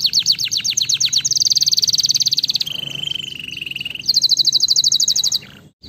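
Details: Canary singing, played to stimulate lazy canaries, with quick repeated notes giving way to a long dense rolling trill, a lower buzzy rattle, then another rapid high trill before stopping.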